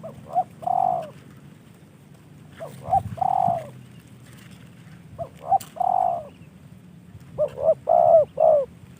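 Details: Kept spotted dove, hand-tamed and gifted by a fellow hobbyist, repeats a cooing phrase four times, roughly every two and a half seconds. Each phrase has two or three quick short notes leading into a drawn-out mellow coo, over low hum.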